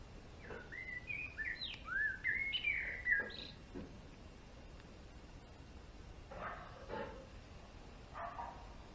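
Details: Male European greenfinch in a bird garden, giving a burst of short twittering chirps and rising notes over the first few seconds. Quieter, softer calls follow after a pause, against a low background hum.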